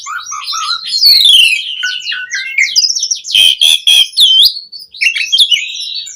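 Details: Asian pied starling (jalak suren) singing energetically with varied fills, played to train other starlings: a tumbling mix of high whistled slurs, rising and falling notes and brief harsh buzzy bursts, with no gaps.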